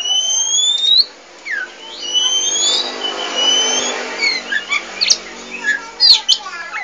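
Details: Oriental magpie-robin of the 'poci' variety in lively song: long drawn whistles at the start, then a softer gap and scattered short upward chirps and sharp notes.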